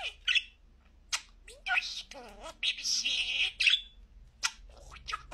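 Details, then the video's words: A pet budgie mimics human speech in clear, high-pitched bursts, including a longer buzzy drawn-out phrase near the middle. Soft warbling and clicks sit between the words. "En net konuşan muhabbet kuşu"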